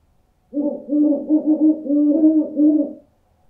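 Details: Owl calling in a dense run of low, mellow hoots that overlap into one continuous rolling sequence for about two and a half seconds, with a clean, quiet background.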